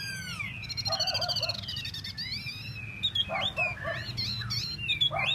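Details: Tieu mi bird, kept to sing solo, mixes buzzy stuttering trills, descending whistles and scratchy multi-note phrases in quick succession, with a steady low hum in the background.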